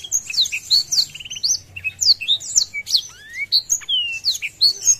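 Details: Blackthroat singing vigorously with its wings spread, meant to stir up rival birds; a rapid, unbroken stream of varied high notes, sharp chirps, trills and short sweeping whistles, with slurred upward and downward glides running continuously throughout.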